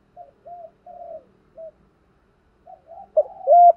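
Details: Spotted dove (cu gáy) urging 'thúc gù' coo for luring wild birds; a series of soft, flat, distant coos, then a louder burst of overlapping hollow coos at the end.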